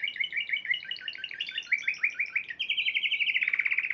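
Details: Prize-winning Spanish Timbrado canary, March 2014 competition, pouring out a fast, rolling, bubbling trill that steps upward and becomes a steady metallic rattle.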